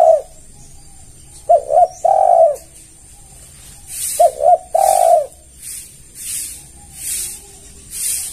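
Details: Spotted dove lure call meant to draw other doves: two phrases of two quick short coos followed by a drawn-out low coo, with regular soft hissing bursts high above in the background.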